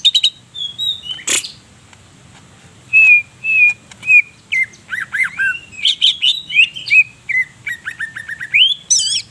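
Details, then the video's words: Greater green leafbird, Purwosari, Baturraden district, Banyumas, singing a fill-rich song: opening whistles and a sharp click, a pause, then steady repeated whistled notes that quicken into rapid falling slurs and a rising trill. "CUCAK IJO GACOR SUARA NYA BIKIN EMOSI CAK IJO LAIN"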